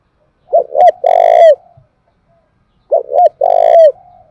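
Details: Close, loud 'thúc gù' cooing of a Spotted dove from Đồng Nai, a sound used to provoke and train decoys: two identical phrases about 2.5 seconds apart, each short-short-long with a rich buzzy final note.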